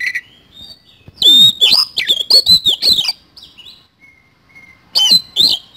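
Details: Oriental magpie-robin singing energetically with isian kasan filling: a soft opening note, then a loud two-second string of bright whistles and twisting slurs, thin high whistles, and a final short burst.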